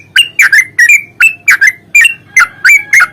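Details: Yellow-vented bulbul singing a fighting song, played as a lure to make other bulbuls sing. Bubbly, slurred whistled phrases of two or three notes repeat steadily, about three a second.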